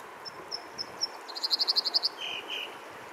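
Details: American dipper singing in Alaska on June 7, 2022: high thin whistled notes spaced about every quarter second, then a fast trill of repeated notes, then two lower buzzy slurred notes, over steady rushing water noise.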